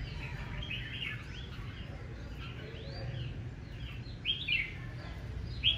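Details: Red-whiskered bulbul singing fiercely in the morning in a competitive challenge; several short whistled, warbled phrases overlap, with one louder rising-falling burst near the end over steady low background rumble.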